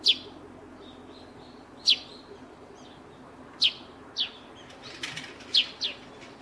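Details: Eurasian tree sparrow (Passer montanus), possibly from a pair nesting under a roof, giving six sharp, high chirps at uneven intervals of one to two seconds, some in quick pairs, over a faint steady hiss.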